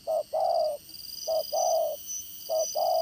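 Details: Spotted dove serving as a trapping decoy with a strong voice; three loud double coos, each a clipped note then a sustained one, over a quiet hissing background.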